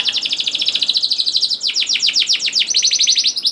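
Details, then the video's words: Canary song to draw young canaries into singing: continuous rapid trill of pulsed notes, shifting into steeper, faster sweeps and ending in a higher, tight rattle. "KENARI GACOR DOR NGEDUR NGOTOT CUIT CUIT NGEROL AMPUH PANCINGAN KENARI PAUD"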